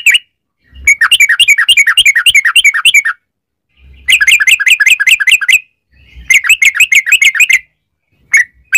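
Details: Long 'ropel' song of a yellow-vented bulbul, played to coax other bulbuls into song. Three extended bursts of rapid, warbling chirps are divided by brief pauses, and a couple of single notes close the series.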